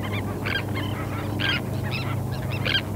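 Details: Terns on a sandspit at Murrell's Inlet, South Carolina, recorded 8 April 2017 with a parabolic microphone; overlapping harsh, grating calls from several birds in quick irregular bursts, over a steady low rumble of surf or wind.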